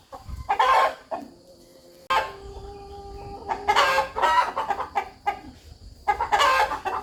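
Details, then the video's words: Rooster communicating in a farmyard with clear, rhythmic clucking: harsh grouped clucks separated by pauses, plus a faint steady tone in the background. "Rooster Clucking"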